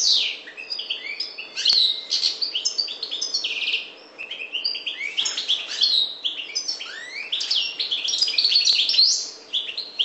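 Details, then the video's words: Ten seconds of continuous, high, liquid twittering from a parva goldfinch of the Maghreb, full of rapid chirps, buzzy trills and sweeping slurred notes, with only a short dip in volume midway. "Chardonneret parva maghreb"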